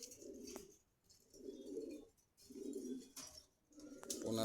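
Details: Pigeons for sale at Meradia bazar in Khilgaon, Dhaka, Bangladesh, give four low, throaty cooing phrases, each about a second long, rolling out with short pauses between them, with faint clicks and market noise behind.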